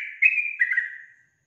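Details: A single female Yellow-vented Bulbul call meant to get males answering: one clear, sustained whistle lasting about a second, with a slight dip and a fading end, heard against silence.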